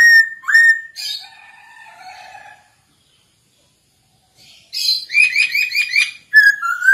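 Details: Masked laughingthrush (poksay hongkong) singing for use as a lure to train other birds: clear rising whistles and a low warble, a pause of about two seconds, then a burst of rapid, rattling, repeated notes and closing slurred whistles.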